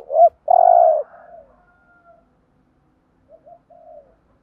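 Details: Spotted dove decoy cooing to provoke rival males, in the thúc gù style. One loud, long, low coo follows a short note, then faint, softer coos trail off.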